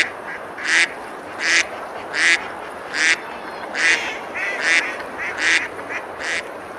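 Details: Ducks feeding and splashing on a river at Besalú, Girona, Spain, in summer; around nine harsh, nasal quacks follow in a steady series, with softer calls between, over rushing water.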